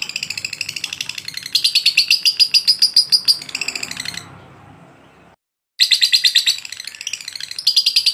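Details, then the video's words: Lovebird ngotot durasi panjang masteran song. Fast, high, buzzy chirps rise in intensity, fade into a moment of silence, then return as an energetic rapid chatter. "lovebird ngotot durasi panjang"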